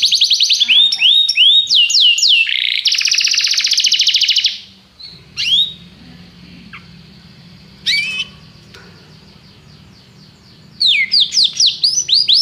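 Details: Canary training song: fast sweeping whistles and a loud buzzy trill for several seconds, then near silence with a low hum and a few isolated chirps, before rapid whistled sweeps return.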